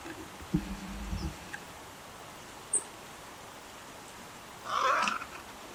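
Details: Wild little egret during a fight: a few low thuds early on, then a single loud, rasping, noisy squawk about half a second long near the end.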